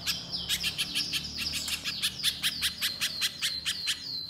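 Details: Little spiderhunter song recorded as a tutor and lure track: bright, high, slightly downslurred notes repeated about twice a second, with a faint background hum.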